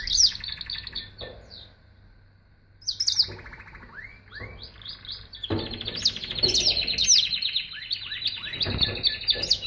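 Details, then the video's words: Canary song in bursts: sharp chirps, a pause, then rising slurred notes leading into a long fast buzzy trill with occasional knocks and a low hum. "Singing Canary"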